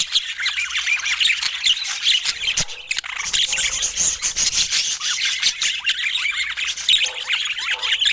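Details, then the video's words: Budgerigars calling while feeding: a dense, continuous chatter of rapid chirps, squawks and warbled twitters, many birds overlapping with no pauses. "Budgie Nutrition Basics with Sweet Sounds and Feeding Joy"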